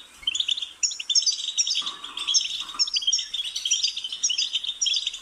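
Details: Goldfinch pouring out a lively, rambling twitter of high chirps and trilled notes, continuous for several seconds, with a short lower warbled phrase midway through.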